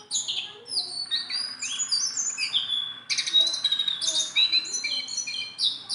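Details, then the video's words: Sunda bulbul kept tame and handleable, singing a fast jumble of high whistles, downward slurs and buzzy chatter, with a sustained clear whistled note through the middle. "BURUNG JONGKANGAN GACOR TELER JINAK PETETAN"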